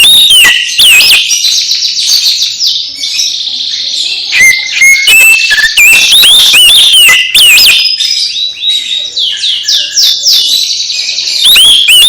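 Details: Continuous magpie-robin song aimed at stirring another bird: a long, dense stream of mimic-like whistles, rapid chattering trills, sharp slurs and clicks, loud throughout with brief gaps.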